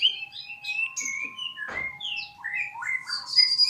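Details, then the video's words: Melodious magpie-robin song: varied clear whistled phrases jumping between high and mid pitches, with a sharp rising note near the middle, over two steady sustained background tones. "Kicauan murai merdu sekali"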